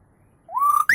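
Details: Talking common hill myna, known locally as beo: after half a second of quiet, a single clear whistled note slides up, holds steady, then jumps abruptly to a higher, sharper tone at the end.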